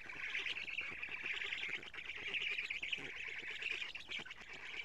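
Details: Continuous buzzy, rapidly ticking chatter from several black stork nestlings at a camera-watched nest in Estonia, June 2017 morning, during a feeding visit when the female brought lots of lampreys.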